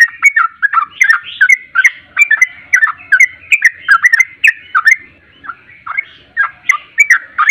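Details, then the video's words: Sooty-headed bulbul song used as a lure to draw a bird into answering, a rapid run of bubbly, slurred whistled notes about two or three per second, steady throughout with no other clear sounds "Pancingan Trucuk Ampuh Nyaut Ropel Hitungan Detik"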